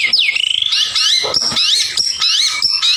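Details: Murai batu singing gacor isian: dense, loud overlapping whistles and warbles, with sweeping downslurs and rising notes crowded together without a break.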